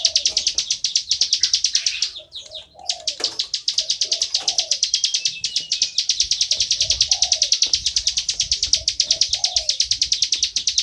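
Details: Bar-winged prinia singing loudly and continuously: a fast, steady stream of high, thin ticking notes runs without pause. Low, soft cooing phrases repeat in the background, with a brief break in the stream around the second second.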